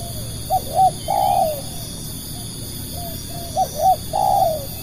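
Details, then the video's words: Spotted dove cooing for luring other doves: two phrases, each a short coo, a second short coo and a longer drawn-out falling coo, about three seconds apart, over a steady low hum. "burung tekukur pikat"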